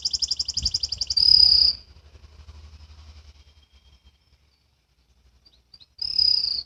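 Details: Juvenile canary learning to sing ngriwik: a quick pulsing trill gives way to a loud clear whistled note. Several seconds of near silence follow, then another bright whistle.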